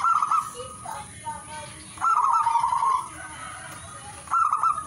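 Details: Singing zebra dove: a loud trilled coo, a pause with faint notes, a long bubbling roll of about one second, then another burst at the end; high hiss throughout.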